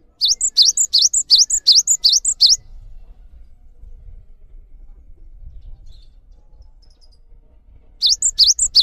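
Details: Cinereous tit song meant for training other birds: a rhythmic burst of paired high whistles, swoop then short pip, about three per second, a five-second pause with soft low background rumble, then the series resumes.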